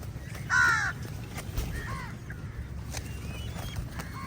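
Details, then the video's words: Crows contesting food with eagles outdoors; one loud, harsh drawn-out caw near the start, followed by softer distant arched caws and faint thin whistles above a low rumbling background. "Lots of Crows fight with EagLes for meaL and Different Crow sounds"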